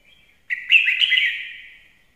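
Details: A fine-voiced red-whiskered bulbul lure bird gives a short soft note followed by a strong warbled phrase of slurred, bubbling notes that fades gradually, in clean quiet surroundings.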